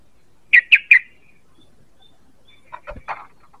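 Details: Sooty-headed bulbul lure call: three sharp, evenly spaced chirps, followed after a pause by faint softer notes and a low knock.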